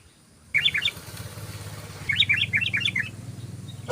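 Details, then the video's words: Yellow-vented bulbul in rapid 'ropel' chatter, used as a lure to attract birds: two bursts of quick, jumbled, bubbly notes, a short one then a longer run, over a low background hum. "SUARA BURUNG TRUCUKAN ROPEL JOSSSSS"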